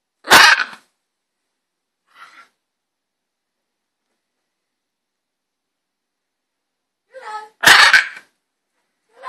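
Green-winged macaw giving two harsh, broadband squawks about seven seconds apart, with a few softer, voice-like sounds between them in a quiet room.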